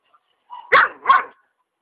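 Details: Hyacinth macaw at a rural property in Ilha Solteira on the Paraná River, Brazil, living free in nature: two loud, harsh, raspy squawks in quick succession, rich and grating, separated by a brief gap.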